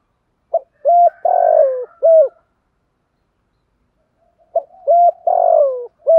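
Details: Spotted dove used as a decoy bird, cooing to draw a response, gives low, mellow coos in two matching phrases about four seconds apart, each a short note, a longer falling coo, then clipped notes.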